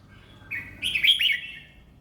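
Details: Caged contest red-whiskered bulbul delivering an easy, pleasant song phrase: a brief whistle followed by a bright burst of warbling, slurred notes that dip and rise, then fade.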